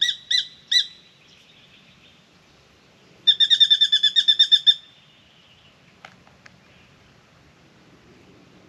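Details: Spangled drongo in a mango tree in Australia, shouting at a pied currawong it will not approach: short bursts of harsh, ringing notes, then a fast run of about a dozen rapid metallic notes, then scattered faint clicks.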